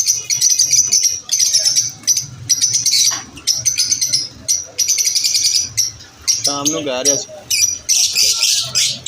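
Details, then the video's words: Lovebirds chattering at lunch time: repeated bursts of high, fast, buzzy chirps about every second, and one brief lower wavering whistle in the middle, several birds calling together. "Lovebirds chirping sound"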